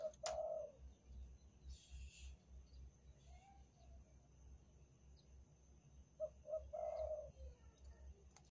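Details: Spotted dove of the Banten type, played as a lure call to draw in other doves: low mellow coos, one near the start, then two short hoots leading into a longer rolled coo. A steady low hum runs underneath, with faint background noise.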